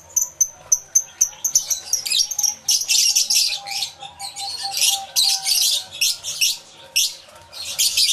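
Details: Aviary full of lovebirds, including yellow-collared, recorded live in stereo: sharp repeated chips building into a continuous shrill chatter of many birds.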